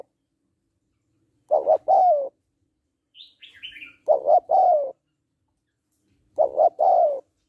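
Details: Female spotted dove calling to rouse a male, giving three-part coos roughly every two and a half seconds; a brief high twittering from another bird falls between the first two phrases.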